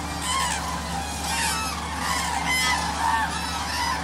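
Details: Common cranes (Grus grus) at Agamon Hula, Hula Valley, Israel, in January: a large flock being fed maize from a tractor calls in a dense chorus of overlapping trumpeting, rolling notes over the engine's steady low drone.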